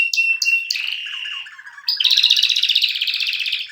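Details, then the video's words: Canary described as a "mast" canary in full voice: sharp high notes over a steady whistle, a flatter buzzy stretch, then a dense, rapid, rolling trill of pulsed notes swelling about four times a second. "کنری مست/خواندن کناری مست/قناری با صدای عالی/KANARYA sesi"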